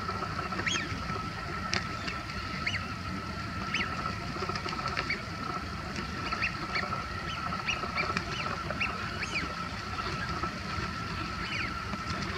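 Eurasian wigeons give short, high whistles, several birds calling every second or so during a squabble, over a steady hum and low rushing background noise.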